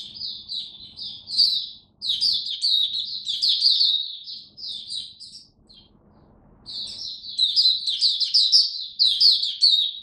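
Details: High, rapid chattering song from a caged oriental white-eye, the 'buka sing raja' style, during cold rainy weather: two long bursts of twittering chirps separated by a pause of about two seconds, with a faint low hum beneath.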